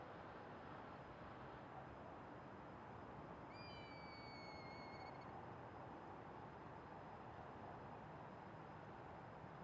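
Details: A Northern Pintail on the Hirose River in Sendai, Japan, January 2021, gives a single clear, fluty whistle held about two seconds and sliding slightly downward, over a steady roar of wind or distant traffic.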